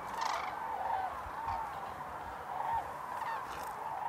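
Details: Dancing common cranes at Hornborgasjön, Västergötland, April 2009. A far-off mass of cranes keeps up a continuous blur of trumpeting calls, with occasional clearer bugling notes standing out of the steady chorus.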